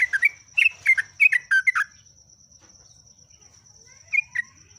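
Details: Trucuk or jogjog, the yellow-vented bulbul, in energetic ngeropel song: a rapid run of about ten liquid, warbled notes dipping and rising, then silence and a brief two-note phrase near the end.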